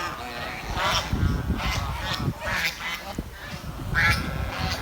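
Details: Swan from a village chirping with brief, nasal, trumpet-like notes repeated roughly once a second, accompanied by constant low background rumble.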